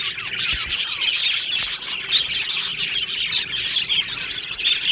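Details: Budgies in an aviary colony on 22 June 2025 singing: a busy stream of high chirps, squeaks and scratchy warbles from many birds, steady and unbroken.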